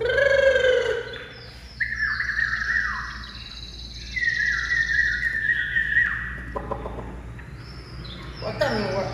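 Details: Caged Chinese hwamei singing soon after its cover comes off: long, level whistled tones held for a second or more, broken by pauses, with scattered higher chirps and a brief noisy burst near the end.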